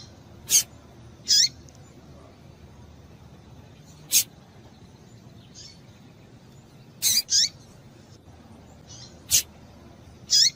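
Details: Female double-collared seedeater giving calls meant to get a male singing: scattered brief high-pitched chirps and a few paired notes, some clipped and some with a slurred tail, irregularly spaced with silent gaps.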